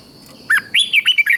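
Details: Red-whiskered bulbul from Thailand in a southern master-style song to rouse other bulbuls: one brisk phrase of six liquid, up-and-down whistled notes over faint background hiss.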